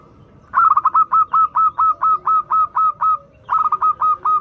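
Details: Local zebra dove, a frequent singer with a melodious voice, used as a lure for doves learning to sing; after a quick stuttered start it gives a long run of about a dozen evenly spaced, clipped mellow coos, then repeats the stuttered opening.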